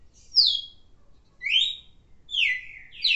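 A red-cowled cardinal gives clear, slurred whistles, each falling or sweeping across a high pitch, spaced about a second apart, over a quiet low hum.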